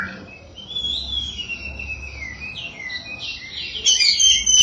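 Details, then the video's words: A lively black-throated laughingthrush pours out a continuous, rich warbling song of slurred whistles, rising and falling, ending in a louder, sharper burst of notes; the song is meant to provoke other laughingthrushes into singing. "Burung 1001 Suara SAMYONG GACOR, Bikin Samyong Lain Emosi & Ikut Gacor"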